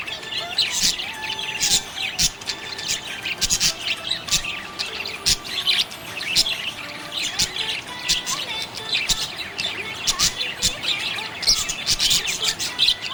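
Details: Contented budgie chatter over a long stretch: continuous high scratchy chirps and twitters with occasional thin whistled glides, busy and unbroken throughout.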